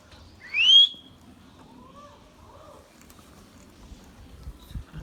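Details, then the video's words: A young (baby) rose-ringed parakeet, a pet Indian green ringneck parrot, gives one loud, clear, rising whistle, followed by two faint lower notes against a quiet background. "Ringneck baby Parrot sounds"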